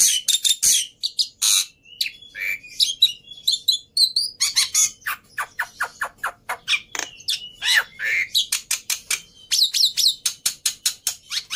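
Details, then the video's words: Vigorously singing black-winged myna, its song played to get silent mynas singing again: dense chattering stream of short high chirps, whistles and squeaky notes, with brief pauses, quickening toward the end. "Burung Jalak Putih Gacor || Cocok Buat Pancingan Burung Jalak Mandek | Macet Bunyi"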